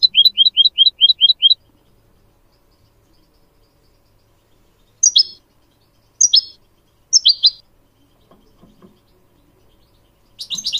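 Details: Goldfinch song used as a tutor recording for teaching young goldfinch mules and canaries to sing. A rapid burst of about eight high repeated chirps opens, then three short buzzy phrases follow at roughly one-second gaps, ending in a dense twitter.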